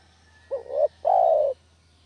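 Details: Single phrase of a village spotted dove used as a trapping lure: a short rising two-part note swelling into a long, smooth, slightly descending coo.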